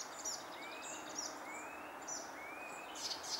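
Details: Icterine warbler singing in June 2021: a run of slurred, rising whistles repeated about every 0.7 seconds, with sharp high notes above them, over a steady hiss of background noise.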